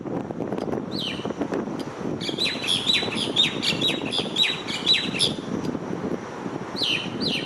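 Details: Starling perched on an electric wire, giving a rapid series of short, sweet, down-slurred chirps and whistles in a busy burst, then a pause and a few more notes; steady low traffic rumble underneath.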